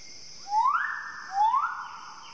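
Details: A Magnificent Riflebird, a bird of paradise with a musical voice, gives two loud musical whistles about a second apart, each sweeping sharply upward then holding steady, over a constant high insect hum.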